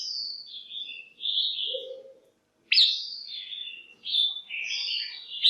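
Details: Female red-whiskered bulbul calls to stimulate males or for pairing, in a busy run of warbled whistles, a sharp loud note after a brief pause, then rapid jumbled phrases; a low buzzy sound briefly.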